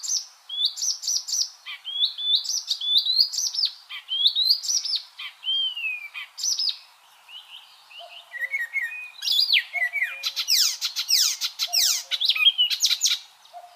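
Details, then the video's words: Varied icterine warbler song mixing clear whistled phrases, a smooth slurred note and, later, dense harsh chattering with rapid sharp downward-sweeping notes; no other sounds stand out. "MASTERAN burung icterine warbler"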